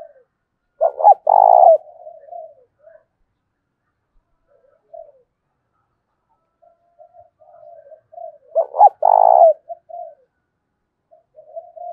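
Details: Decoy spotted dove in thổ đồng voice, calling to challenge rivals; two loud phrases about eight seconds apart, each a stuttered burst plus a long buzzy coo, with softer trailing coos between.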